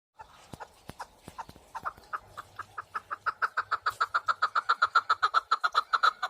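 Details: Partridge calling: a long, rhythmic series of short, clucking notes that speed up and grow louder, settling into a rapid, even rattle of about four notes a second.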